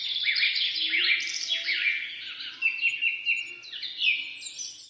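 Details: Forest birds in the morning, several singers overlapping with clear whistled notes, bright chirps and short trills, a busy and steady chorus heard from the middle of a road through the woods.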